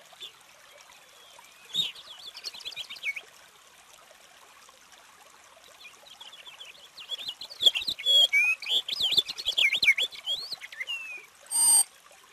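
A purple finch sings a rich, rapid warble of rolling high notes in two long bursts, with faint trickling water and a brief knock near the end.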